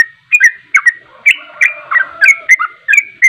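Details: Sooty-headed bulbul in 'ropelan' song, used as a lure to make other birds sing; liquid, gurgling whistled notes, partly slurred together, in rapid uneven bursts.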